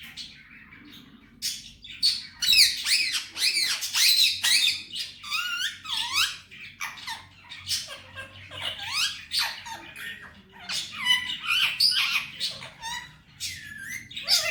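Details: Male Indian ringneck parrot, a pet, chattering mimicked words and squeaks: dense run of rapid, curved, voice-like syllables and sharp squeaky glides, many per second, loud and continuous over fourteen seconds indoors.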